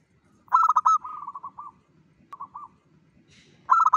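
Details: A local zebra dove calls actively to draw in other zebra doves. A loud burst of fast staccato coos leads into a softer rolling trill. A brief softer coo follows, and the loud stutter returns at the end.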